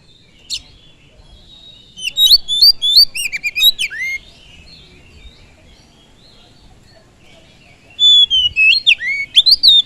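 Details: Oriental magpie-robin singing to stir up other birds: a brief note, then a rapid run of sweeping whistles and downslurred chirps, silence for several seconds, and a fresh burst of bright whistled phrases near the end.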